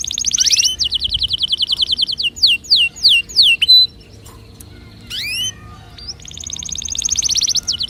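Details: Canary song used to encourage other birds to sing, starting with long rapid high trills, then separate downslurred whistled notes, a brief pause, and another fast rolling trill.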